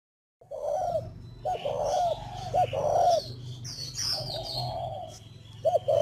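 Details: Spotted doves kept at a breeding farm in Ba Vì, Hanoi, Vietnam, cooing in repeated low phrases of two or three soft, rounded notes about a second apart, with thin high chirps from other birds and a steady low hum behind.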